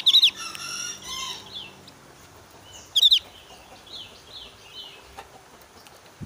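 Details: A Javan grey-throated white-eye in high excitement during breeding season gives sharp, high chattering bursts about every three seconds, with soft, slurred whistles between them; it whistles little, and this is a call challenging a rival.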